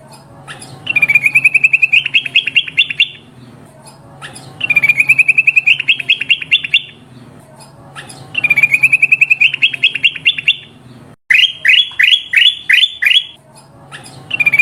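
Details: Lure sounds of a sooty-headed bulbul: three long bursts of fast, chirping notes that rise gradually in pitch, then a string of sharper, downward-slurred chips.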